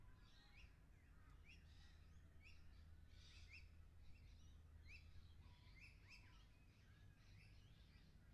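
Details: Lorikeets in a 360 VR recording, repeated sharp screeching notes roughly every half second, with several birds calling at once against a low, even background rumble.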